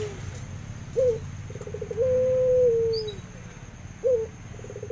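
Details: Aviary-kept Barbary dove of the puter pelung kind, calling vigorously: a brief sharp note, a fast rolling stutter, then one drawn-out level coo lasting over a second, with the next phrase starting at the end; steady low hum behind.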